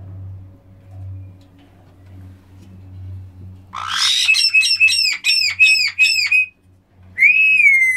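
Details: Black-headed caiques calling: after a quiet indoor start with low hum, a burst of harsh noisy notes gives way to a rapid series of repeated rising-falling whistled notes, then a long downslurred whistle.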